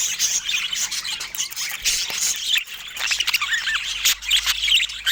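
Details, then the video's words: Pet budgerigars sharing fruit, giving a dense, continuous chatter of high warbles, squeaks and short rising chirps, several birds overlapping with brief pauses. "Cute Budgies Sharing Fruits with Funny Happy Sounds"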